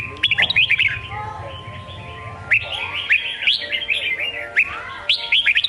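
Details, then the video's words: Red-whiskered bulbul delivering a songkon-style song: three bursts of sharp, sweet whistled notes that slide up and down, each lasting about a second, with quieter gaps and a faint hum between. "Chào mào hót giọng songkon cực hay"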